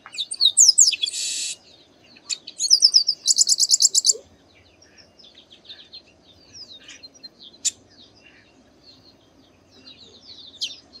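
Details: Chestnut-capped blackbird, a bird that sings a lot and is known as Garibaldi or Baia de Chiqueiro: a loud burst of high slurred whistles and a buzzy rasp, then a fast repeated note series, then softer scattered chirps and faint distant calls.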